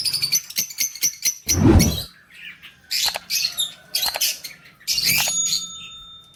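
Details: Lovebirds, recorded 20 February 2024, calling in a mix of clicky chirps, high thin whistles and scratchy squawks in uneven bursts, with a low thump near the start.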